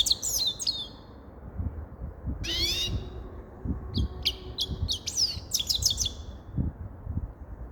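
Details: Grey-crowned goldfinch twittering, then a pause and one long sweeping note, followed by a rapid chattering run. Faint low hum and thuds are in the background.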